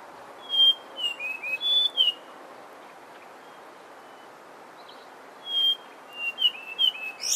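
Brown scrub robin singing two short bursts of clear, sweet whistled notes that slur up and down, a few seconds apart, over a soft steady hiss.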